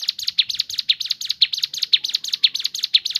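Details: . Crescent-chested babbler (ciblek gunung) singing a fast, lively stream of high chirps, roughly two notes per second in paired bursts, with a faint low hum beneath; used to lure other birds into singing.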